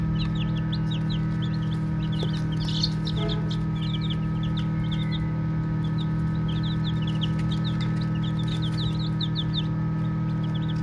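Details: Playing baby chicks chirping: steady stream of high, soft peeps from several birds, one louder brief rustle or bump early on, all over a constant low hum.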